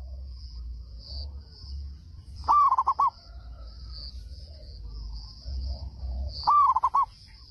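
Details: Loud song of a local zebra dove from Indonesia, used to provoke neighbouring doves into replying: a rising first note breaking into fast stammered coos, heard twice roughly four seconds apart, against a constant shrill background drone and faint low rumble.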